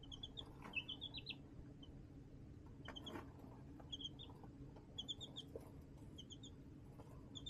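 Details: Chicks kept in a homemade tote brooder with a heat lamp, March 2024; short runs of two to four high peeps recur every second or two, with soft tapping noises and a faint background hum.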